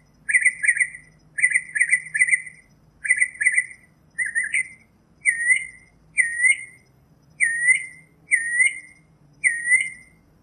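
A Northern mockingbird sings loud, scratchy-whistled phrases about once a second. It repeats one phrase several times, then switches to a new one, over a faint low hum.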